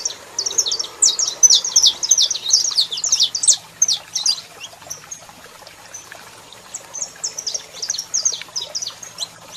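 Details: Saffron finch, male in song with a female calling, giving rapid bursts of high, clipped chirps, a quieter gap midway, then another twittering sequence.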